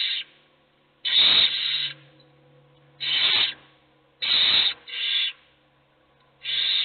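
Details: Owl chicks, all hungry, begging as only one gets to eat; five loud, breathy screeching hisses, two of them close together, with a faint low hum underneath.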